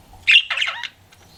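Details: Pet budgerigar flirting gives a single harsh squawk that breaks into a short buzzy, warbled chatter before falling silent.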